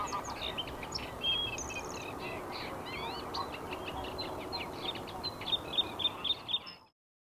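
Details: Male Bluethroat singing in spring from a nearby post: a long fast sequence of varied high notes, buzzy trills, zigzag whistles and clicks, ending abruptly, with constant low background noise.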